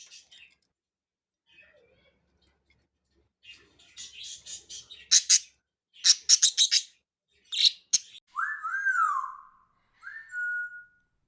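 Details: Three caged budgerigars playing: quiet chatter builds into loud bursts of high, buzzy chirps, followed by a smooth rising-and-falling whistled note and a short level whistle near the end.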